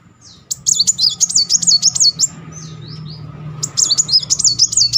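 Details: A Kolibri Muncang sunbird sings a quick, looping, high-pitched roll, then gives a pair of soft descending slurs, then resumes rapid rolling trills. The song is used to stimulate a bird that has stopped singing.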